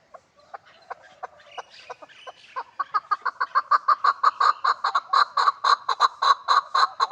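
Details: Hybrid chukar partridge calling: a run of harsh, clucking chuck notes that start soft and spaced, then grow louder and faster into a steady pulsing series about twice per second.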